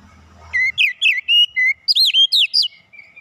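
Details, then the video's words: Oriental magpie-robin song used as a lure to get birds singing at once: a quick run of about ten loud whistled notes, each bending and looping, rising in pitch midway, after a short low hum at the start. "PANCINGAN KACER LANGSUNG PANAS BONGKAR ISIAN"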